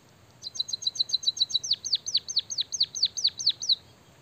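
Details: Caged white-headed munia performing song with canary-mimic content: about twenty rapid high ticks, then a run of loud falling whistles, roughly four per second, ending abruptly.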